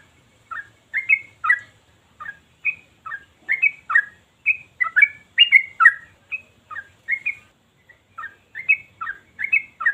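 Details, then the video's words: A Yellow-vented bulbul sings nonstop like a machine, its song described as sharp, bassy and long: a run of bubbly, liquid notes in short phrases rising and falling at a quick, steady pace with almost no pauses. "Trucukan Ini Gacor Tanpa Henti, Ropel Terus Kayak Mesin!"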